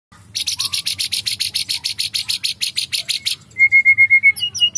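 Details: White-rumped shama (murai batu) singing agitatedly and vigorously (gacor): a fast series of about eighteen bright, buzzy high notes, then a short run of clear, evenly repeated whistled notes and sharp upward flicks.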